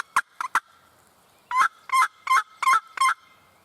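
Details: Big wild turkey tom with his hens, late spring morning in Virginia woods: three short choppy notes, then five strong rattling gobble bursts evenly spaced about every third of a second, close and clear.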